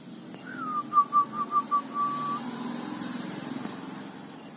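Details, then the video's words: A tame local zebra dove, hand-raised from a chick and singing well, gives a soft rising note. A quick series of bubbly cooing pulses follows and trails off over a low traffic rumble. "Perkutut Jinak, Rawatan dari Piyik"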